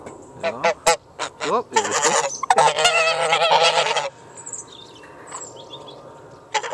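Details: Rowdy farm geese calling: a burst of loud nasal honks, some rising, then a dense overlapping clamour of several birds for about two seconds, fading to quieter background noise with a final honk at the end.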